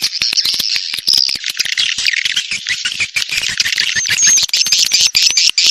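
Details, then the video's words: Edible-nest swiftlets giving a mating call intended to attract them to a nest house. Crowded, rasping high twittering with constant rapid clicks runs throughout, with a few thin whistled notes near the end. "Suara Panggil Walet B1RAHI"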